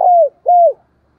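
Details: Spotted dove, a decoy bird calling to draw in wild doves, 2023: two soft, mellow coos, each held level and then dropping at the end, followed by silence.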